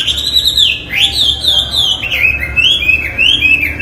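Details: Chinese hwamei in energetic song, used as tutor material for murai, kacer and cendet; a continuous chain of clear, high whistled slurs that rise and fall in a wavy, loud phrase.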